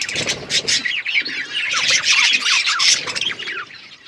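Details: Outdoor aviary flock of budgerigars: squeaky, up-and-down warbled notes and quick chirps pouring out without pause, several birds overlapping in a lively chorus.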